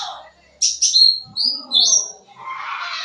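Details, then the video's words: Sooty-headed bulbul singing with fill-in phrases as a lure for young birds: separate high whistled notes with sliding, falling strokes, followed by a soft hissing rasp at the end. "Suara Cucak Ranting Gacor Full Isian, Cocok Buat Pancingan Burung Bahan"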